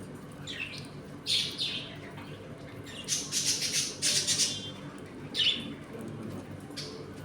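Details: Pet budgies in a home colony make intermittent bursts of raspy high chatter separated by quieter gaps, with a steady low hum beneath while the flock eats and plays.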